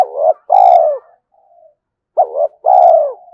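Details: Decoy spotted dove calling to challenge wild doves to fight: low hollow coo phrases, each a short note followed by a long, slightly descending, throbbing coo, given twice with a second's silence between.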